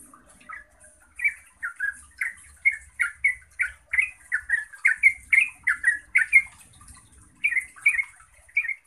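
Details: Song of a yellow-vented bulbul, intended to make other bulbuls answer: after a quiet start, a fast string of bubbly, warbled notes builds up, pausing briefly before a final few phrases.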